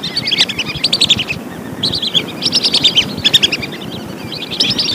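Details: Lesser whistling duck calling, recorded for luring birds: repeated clusters of sharp, high whistled notes tumbling slightly downward, with brief gaps between bursts and a constant low rumble underneath.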